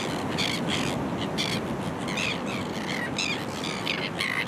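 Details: Kelp Gulls among other coastal birds on the reef known as The Merries, Kurnell, Australia, early September 2020; raucous, cawing calls repeat at short intervals, partly masked by constant surf noise.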